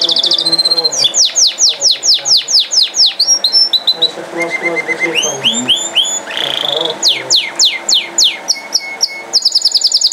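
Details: Canary in continuous song: fast repeated downward sweeps, a steady whistled note, chattering rolls and more quick sweeping notes in varied phrases, with a faint low background hum.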